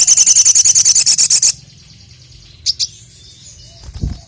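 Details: Crested jay calling out to a rival: a rapid, evenly spaced rattle of very high dry notes lasting a second and a half, followed by quiet, a couple of sharp high chips and a soft low knock.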